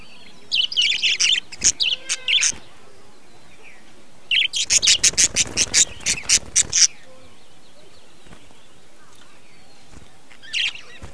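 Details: Breeding colony of budgerigars, 2020: scratchy chirping bursts, then a rapid run of about a dozen sharp clicking chirps, followed by quiet gaps with faint distant twitters.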